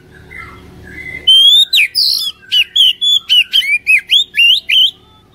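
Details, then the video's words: Oriental magpie-robin song meant to trigger singing in a caged bird: soft faint whistles, then a sudden loud run of rapid buzzy, sliding whistled notes, about four per second. "PANCINGAN KACER INI | KACER MALAS BUNYI CEPAT GACOR"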